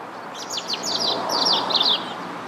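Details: English Robin (Erithacus rubecula) singing: a quick run of thin, high, sliding notes and tinkling trills, delivered in rapid bursts over a soft background hiss.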